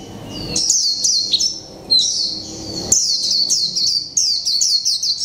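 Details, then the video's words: Líu pha chòe trống singing from a caged mộc tinh white-eye, one month in captivity: continuous high, tinkling chirps sliding downward, delivered in quick successive phrases with barely any gaps. "chim khuyên mộc tinh 1 tháng lồng '' LÍU PHA CHÒE TRỐNG '' cực hay"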